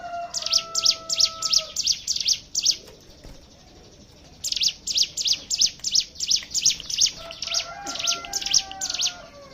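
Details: Lure recording of Hill prinia song meant to draw other birds into singing: two bursts of rapid, high, scratchy chirps, roughly three a second, broken by a short pause, over faint lower whistles in the background.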